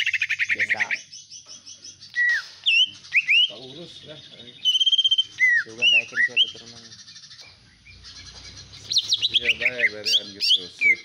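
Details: Domestic greater green leafbird in vigorous song with common iora-style calls, rapid trilled stretches, clear whistled slurs and buzzy nasal phrases, with a short lull before a final burst of high notes.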